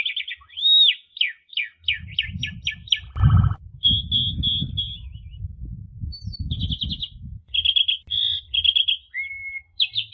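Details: Asian pied starling singing a strong ngentrok-style therapy song meant to rouse home-kept magpie robins: varied clear whistles and rapid chattered note series with pauses, over a low rumbling background noise.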